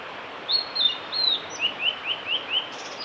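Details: Male blue-and-white flycatcher in song beside Miyagase Lake, Kanazawa forest road, Japan, 5 May 2018: two or three high sliding whistles, then a lower series of five quick upslurred notes repeated evenly, closing with a faint high buzzy trill.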